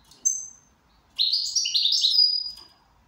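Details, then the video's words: ['Goldfinch in good condition: a short high note, then a fast cascading twitter of chirpy, slurred notes that ends in a thin drawn whistle. Background is quiet.'] "Switty goldfinch in good condition."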